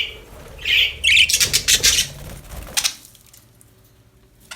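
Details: Happy budgies give two clear rising chirps followed by a flurry of harsh, rapid scratchy notes and clicks, then the sound fades to near quiet.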